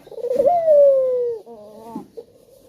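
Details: Male spotted dove giving a lure call meant to set other doves singing: a short wavering trill rising into a long, smooth, slowly falling coo, then a fainter tail.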